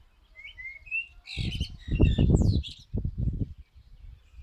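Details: Singing common blackbird: three clear fluted whistles, then a burst of squeaky, scratchy high twittering partly covered by loud low bumping noise.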